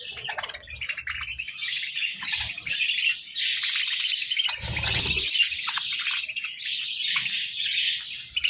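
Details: Budgerigars sunbathing and calling, a steady stream of raspy warbled chatter and chirps, with a brief thud partway through.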